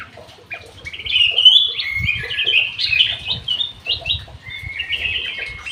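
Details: Golden bulbul in an aviary giving a continuous warbling song of slurred, rising and falling whistled phrases strung together without pause, with a few soft thuds below.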